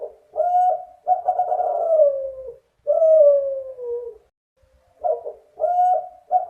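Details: Male spotted dove of the Kelantan type, in active song with a very clear, long voice: repeated phrases of short level coos followed by long mellow descending coos, several phrases in sequence with brief pauses.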